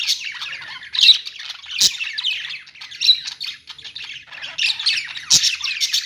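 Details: Pet-store budgies squawking and chirping in overlapping bursts, louder peaks near one, three and five seconds, with a few sharp knocks.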